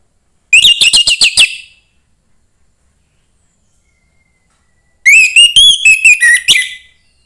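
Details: Orange-headed thrush, a young bird from the forest, singing to stir other thrushes into song; two phrases of fast, sweet whistled notes, the second longer with slurred rising and falling syllables, quiet gaps between.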